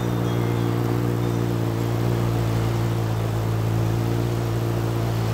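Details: A steady, loud low engine hum fills the recording, with no animal sounds.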